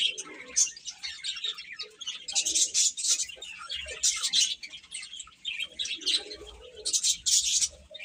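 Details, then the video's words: A crowd of baby chicks peeping, high sharp chirps rising and falling in loudness, a few especially shrill bursts, and soft low sounds in the background. "Cute Chicks Chirping Sounds"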